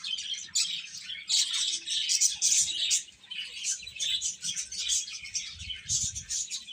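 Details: Young chickens chirping in a crowded, high chorus of quick peeps. A brief lull comes near the middle before the chatter picks up again.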